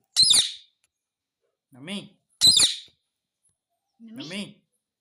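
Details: Pet ringneck parrot indoors alternates sharp high squawks with lower harmonic word-like syllables, four calls spaced about a second apart with silence between.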